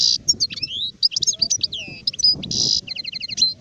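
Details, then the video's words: Adult European goldfinch (sharif), 2019, delivering a rapid twittering song of sliding whistles, a harsh buzzy burst and a quick rattling trill of repeated notes near the end. "تغريد حسون كهل (شارف)"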